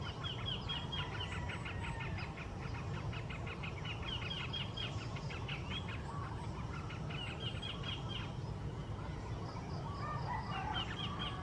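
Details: Yellow-vented bulbul, locally called trucukan, singing in the wild: quick runs of bright chattering notes in bursts through the clip, over a steady low rumble of background noise.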